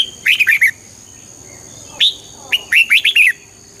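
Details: Red-whiskered bulbul song used to stir up birds: a rapid run of four bubbly whistled notes, a single clear note, then another lilting phrase of slurred, rising-and-falling whistles; steady faint high hum throughout.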